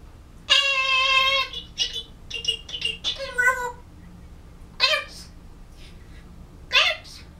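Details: Pet African grey parrot in November 2011, practicing words and trying to sing a Disney song: a long harmonic, wavering vocal note, then several short choppy speech-like syllables and two later bursts, in a quiet room.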